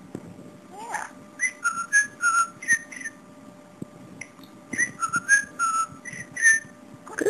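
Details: A male pet budgerigar chatters in two bursts of clipped, whistled notes and odd mimicked noises; he talks and imitates sounds like laughing, sneezing, nose-blowing, zipping and dripping water.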